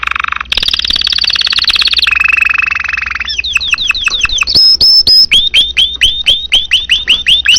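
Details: Energetic domestic canary song, offered as tutor material for other birds. It opens with long buzzy rolling trills, then moves into fast series of sharp swooping whistles, each repeated many times in quick succession.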